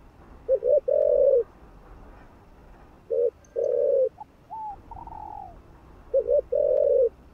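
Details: Cooing spotted dove meant to stimulate other doves. Three low phrases about three seconds apart, each a quick double note then a drawn-out coo, with higher slurred whistles between the second and third.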